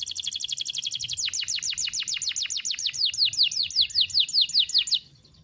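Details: Canary singing a long, sharp single-breath phrase as a tutor recording for young canaries: a very fast high trill that shifts into slower, deeper-swooping descending whistles, repeated steadily for five seconds before stopping.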